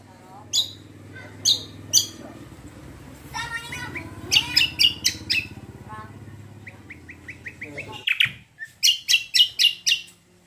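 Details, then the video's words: Greater green leafbird (cucak kombo) song used as a lure to make other birds answer: sharp repeated chips with rapid trills and squeaky whistled phrases, ending in a quick run of loud chips, over a low steady hum. "PANCINGAN BURUNG CUCAK KOMBO KECIAL KOMBO BAHAN MANAPUN LANGSUNG NYAUT"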